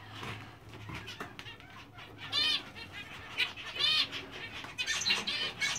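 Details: English zebra finch pair kept as a breeding pair, black face male with dominant silver female: bursts of nasal stacked notes come in short groups, with a low hum early on and gaps of quieter rustling between.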